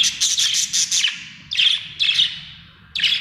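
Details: Budgie in a happy mood, opening with a rapid run of about six buzzy chirps, followed by three separate harsh chirps spaced roughly half a second apart.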